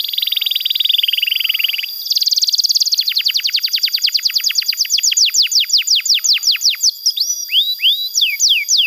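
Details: Canary song meant to train young canaries and coax quiet ones to sing: a buzzy trill, then a long accelerating series of steep downward-sweeping whistled notes, ending with hooked rising and falling slurs.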